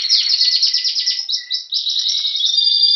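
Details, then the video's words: A Spanish Timbrado canary, ringed in 2015, sings in Anavissos near Athens, Greece, in February 2016 while awaiting spring: a fast, metallic rolling trill of rapid repeated notes, breaking into brief bell-like tours and high sustained whistles. "Canario Timbrado Espanol esperando la primavera"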